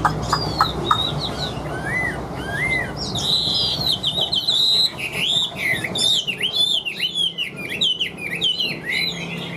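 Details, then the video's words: Chinese hwamei kept in a cage, singing on and on in an even voice: a few soft clipped notes open, then a rich flow of ringing, bending whistles and rapid trills grows louder. "Họa Mi Hót Như Máy, Điện Đóm Căng Ra Giọng Đều"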